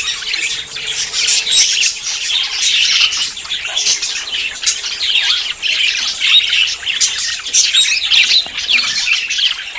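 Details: A group of budgerigars in courtship before breeding keeps up a nonstop stream of scratchy warbles, clicks and squawks for nearly ten seconds, with a low background hum.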